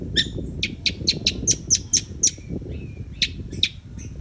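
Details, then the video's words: Long-tailed shrike delivering a rapid string of sharp, high, clipped notes at a steady pace, then a brief pause and a few more spaced notes, over low background noise. "CENDET YANG MALAS BUNYI PASTI AKAN GACOR KEMBALI"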